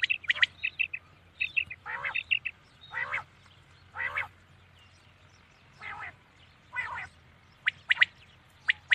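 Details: Night-time common quail calls: quick triple whistles at the start, then a run of rough, buzzy bursts about once a second, ending with sharp clipped notes.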